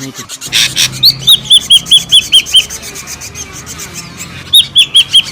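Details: Ashy drongo calls used as a lure sound: after a brief harsh burst, a run of short whistled notes roughly twice a second, then a similar whistled series after a pause.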